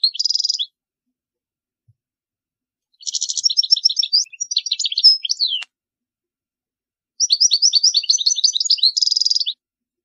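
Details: European goldfinch song for teaching chicks: three bursts of high tinkling twitter separated by silences, each mixing quick chirps with a buzzy nasal trill; nothing else audible.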